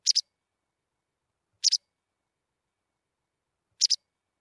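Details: Three brief, high double chirps from a white wagtail, each pair quick and sharp, with long silent gaps of about two seconds between them.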